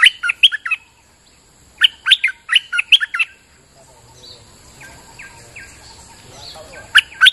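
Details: Bulbul singing on a rainy day as a lure song: bursts of loud, quick chirped notes jumping between low and high pitch, a second burst after a pause, softer chirps after four seconds and a final burst near the end.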